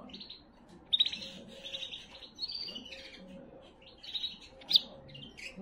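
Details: Canary singing to excite females for breeding, a sequence of high trills and rolling buzzy phrases broken by sharp bright notes and brief pauses, with soft low background hum.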